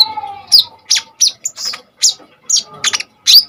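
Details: Common iora in energetic full song used as a bird-training lure: a soft low whistle first, then a series of loud high chirps and slurred notes about every third of a second.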